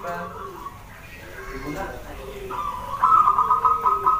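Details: Small local wild zebra dove singing: muffled background murmurs, then a rising sustained tone that breaks into a rapid series of soft, clipped cooing notes.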